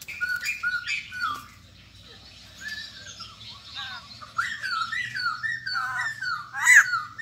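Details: White-crested laughingthrushes, fresh wild-caught cage birds, give scattered scratchy squawks. A quieter middle stretch leads into a louder bout of hoarse slurred calls.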